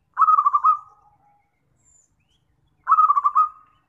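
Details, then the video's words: Zebra dove calling as a lure for trapping: two loud, rapidly pulsed, purring coo phrases about two and a half seconds apart, each fading into a short lower tail, in near silence. "PIKAT PERKUTUT PALING AMPUH"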